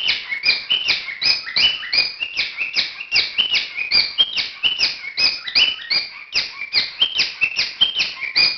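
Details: Cockatiel courting, a fast run of harsh, buzzy chirps with whistled tones, about two or three notes per second, each note stepping down in pitch, continuing steadily through the whole stretch with no other sounds.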